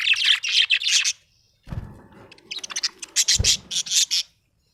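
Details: Happy budgerigar chirping: bursts of bright, high chattering notes, a short pause with low rustling, then more rapid warbled chirps in quick succession.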